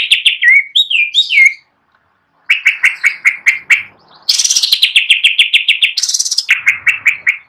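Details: Greater green leafbird singing gacor style on a perch stand: sharp chirps near two kilohertz repeated in fast series, a brief silent gap, then a bright high downward-sliding trill and more clipped notes.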